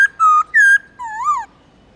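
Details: Black-throated laughingthrush song meant to stimulate captive birds: two loud, steady whistled notes at slightly different pitches, then a softer lower whistle that swells upward into an arch before fading.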